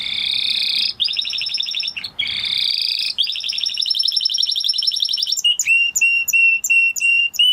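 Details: Spanish Timbrado canary, an original breed close to the wild canary, singing dense rolling high trills in long phrases broken by brief pauses, then switching to a series of clipped, evenly spaced metallic notes.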